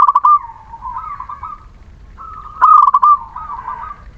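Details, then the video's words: Local Muria zebra dove song used as a lure for reluctant singers: loud stuttering trilled coos followed by softer wavering notes, two phrases about two and a half seconds apart. "Perkutut lokal Muria gacor pancingan setiap waktu perkutut malas bunyi"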